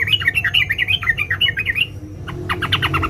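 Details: Calling yellow-vented bulbul female summoning a male, a close, rapid chatter of lilting notes jumping up and down for nearly two seconds, then a brief pause before a burst of harsher, stacked notes.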